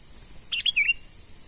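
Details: A short two-part chirp from a young forest-caught sooty-headed bulbul being trained to serve as a lure, sharp then slightly lower and slurred, against a continuous shrill insect background.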